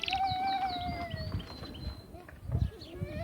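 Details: An Atlantic canary sings a long held whistled note with quick high chirping phrases above it, over a low rumbling background; the song is meant to excite females for mating.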